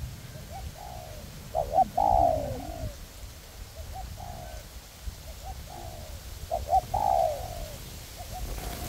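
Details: In forest, a pair of spotted dove decoys, ground-based and perched, coo together to attract wild doves for trapping. Clipped introductory notes lead into drawn-out descending coos, several phrases overlapping, with faint low background noise.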